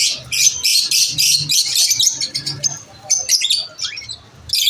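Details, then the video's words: Lovebirds chirping during lunch time: strong bursts of shrill, scratchy chirping at the start, thinning to sparse high notes and a rising squeak, then a loud chirp at the end. "Lovebirds chirping sound"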